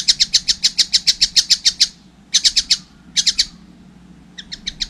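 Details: Juvenile collared kingfisher calling in a fast run of harsh notes, then shorter bursts of three or four, ending in softer clipped notes.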